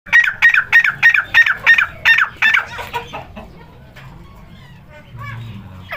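A partridge gives a fast run of about eight harsh, grating notes, roughly three per second, then falls quiet under faint background noise.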